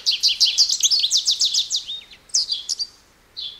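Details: American goldfinch song: a fast run of bright, repeated twittering notes at roughly three per second, then a few sharp slurred chips and a final soft buzzy note after a short pause.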